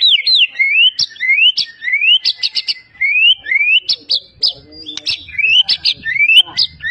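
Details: Champion white-rumped shama (murai batu) from Medan, a prize competition bird in full voice, its song filled with imitations of many bird species: loud rising whistled sweeps repeated quickly, broken by sharp high notes, with no other sound heard.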